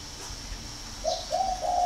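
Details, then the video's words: Brief spotted dove coo phrase from a northern Vietnam bird farm in Ba Vì, Hanoi: three soft, low notes in quick succession after a moment of quiet. "chim cu gáy hay 88 miền bắc"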